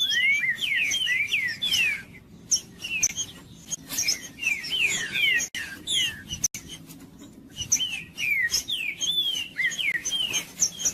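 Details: Trinca-ferro, or green-winged saltator, sings dense bursts of bright whistled notes that sweep up and down, in bursts separated by brief pauses, with a faint background rumble. The song is meant to warm up a silent bird.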